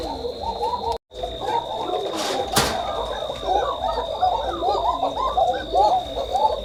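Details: Koka pigeons on a pigeon farm give very thin, wavering coos that overlap in a busy, continuous chorus.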